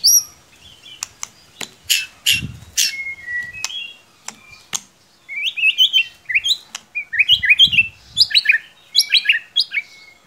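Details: Caged white-rumped shama singing scattered chirps and clicks that build into fast twittering whistled phrases, with sharp snapping sounds throughout.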